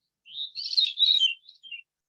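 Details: Veery, the smallest thrush, which arrives in May and leaves in fall and lives in woodlands: a breezy, fluty song of two simultaneous notes crossing over each other and spiralling downward over about a second and a half, with no other sounds.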